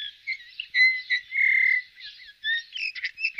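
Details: Eurasian bullfinch voicing a string of soft whistles and a sustained flat whistled note, followed by quicker chirps and twittering at the end.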